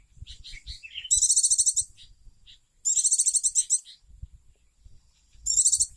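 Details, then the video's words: Pet oriental white-eye in lively song: three loud, very high, rapid pulsed trills about a second long, separated by pauses with soft low rumbling and a few faint chirps between them. "burung pleci gacor"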